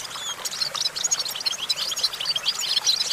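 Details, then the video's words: European goldfinch perched on a branch delivering a short stretch of liquid, high-pitched twitters mixed with a few clear whistled notes, quick and uneven. "Discover the stimulating sounds of the natural the goldfinch"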